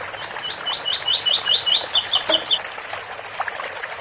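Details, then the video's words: Double-collared seedeater in 8x4 - 7x4 song style, with a water fountain running: a rapid series of about eight repeated high chirped notes, then four higher buzzy notes, over steady splashing water. "Coleiro ouro fino 8x4 - 7x4 com som de fonte de agua"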